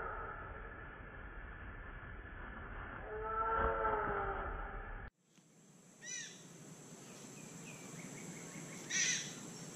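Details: A White-throated magpie-jay in Costa Rica, eating palm fruit, gives a harsh, nasal call, then two more loud, clipped calls a few seconds apart over steady background hiss.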